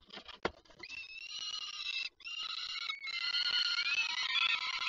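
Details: At a falcon nest in Lublin, Poland, on 28 May 2019, the adults fly up to the ledge while the lively young react: a long, harsh, wailing call with strong overtones runs almost continuously, briefly broken, over faint background rumble.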